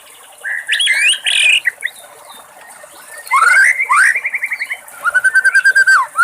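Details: Wild White-rumped shama in full song: loud, varied whistled phrases, a rising slur into a fast trill of repeated notes, and a final rapid series of rich whistles.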